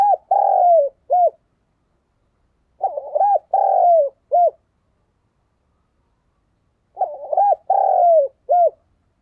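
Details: A decoy spotted dove calling to provoke wild doves gives low, mellow coo phrases, each a quick stutter then a long falling note, every few seconds.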